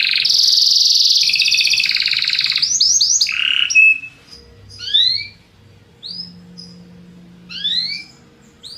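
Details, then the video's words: Belgian canary song, played to liven up other birds: a strong buzzy trill and sweeping notes, then quieter spaced upward slurs and short chirps with pauses between. "CANTO DO CANARIO BELGA PRA ANIMAR SEUS PASSAROS"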